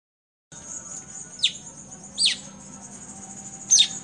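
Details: Blue-winged leafbird (cucak cungkok) singing in the 'tembakan' style, offered as a training recording for other songbirds: three sharp, downslurred whistled notes dropping from high to lower pitch, spaced roughly a second apart, over a steady thin high hiss.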